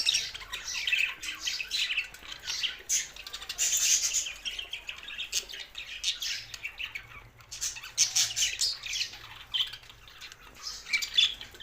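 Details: Budgerigar song from Larkana, Sindh: a chorus of raspy chirps, squeaks and warbled phrases coming in waves of loudness, with short pauses between bursts.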